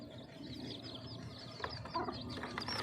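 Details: Outdoor chicks beside a brown and black hen that is feeding them chirp constantly, with short high peeps tumbling over each other and a few sharper clicks near the end.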